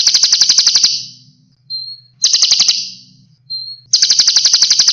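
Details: Sunbird song from a training recording for cage birds: dense buzzy rattling trills in long bursts, broken by short pure whistled notes, with a faint low hum underneath.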